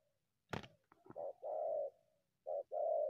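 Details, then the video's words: Wild spotted dove coming out of scrub toward a decoy; a sharp knock, then soft hollow coos given as short-long pairs. "terkukur unik selalu masuk dari semak hajar pikat"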